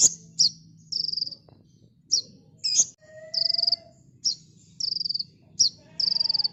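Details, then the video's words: Sunbird, called kolibri ninja, on a master recording for training cage birds: sharp high chips lead into rapid buzzy trills, the pattern repeating about every second, with faint lower whistles underneath. "Burung Kolibri NinJa Gacor T3mbakan Rapet l Untuk Masteran"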